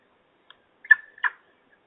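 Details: Peregrine falcons at the nest during a feeding in Trzebież, dated 17-05-21: two loud, harsh, rasping calls in quick succession, preceded by a faint short note, otherwise quiet.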